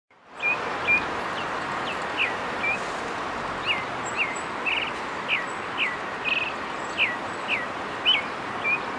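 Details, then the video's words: A Brazilian thrush gives its mating song, a series of short, clear, fairly high notes, about two per second, over a steady roar like distant traffic. "Brazilian Thrush mating song"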